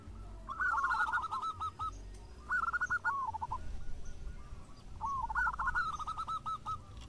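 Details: Local zebra doves singing and answering each other: three bursts of rapid, rolling coos near the same pitch, each a quick stuttering run of short notes with a brief pause between, over a low background rumble.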